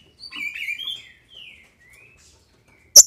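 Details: Female Green-winged saltator, captive-bred in Brazil, singing to stir up males: one short phrase of clear, sliding whistles at the start, then a few faint notes and a sharp click at the end.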